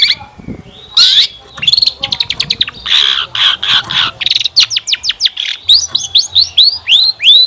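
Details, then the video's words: Long-tailed shrike lure song meant to set other shrikes singing, rich in varied phrases: buzzy rasping bursts give way to fast falling sweeps, then a run of rising hooked whistles. "Kicauan Cendet Memukau! Pancingan Cendet Gacor Full Isian Mewah"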